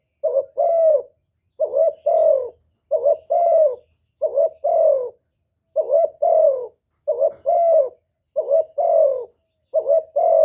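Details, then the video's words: Cooing spotted dove, known locally as cu gáy or cu đất, giving calling and urging coos: paired hollow notes, a short rise then a drawn-out falling coo, repeated at a fairly even pace in a quiet setting. "Cu Gáy GỌI + THÚC + Gù"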